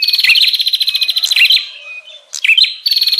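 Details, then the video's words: 'Prenjak ribut' lure call of a bar-winged prinia, played to draw in wild birds: a long, rapid, buzzy rattle of evenly pulsed notes breaks into sharp chips, then a fresh rattle begins. "Suara pikat burung prenjak Ribut"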